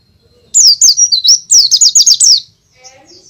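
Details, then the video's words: White-eye in loud, lively forest-style song, used as a lure for newly caught birds: a two-second burst of rapid high whistled notes in quick zigzag sweeps, dense and bright, followed by quiet with faint low sounds. "pleci gacor ngalas suara keras cocok untuk pancingan bahan"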